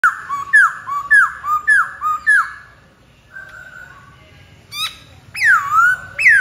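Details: Black-throated laughingthrush (Pterorhinus chinensis) song: a run of loud, clear whistles swooping downward, about two a second, then a pause before richer sliding phrases.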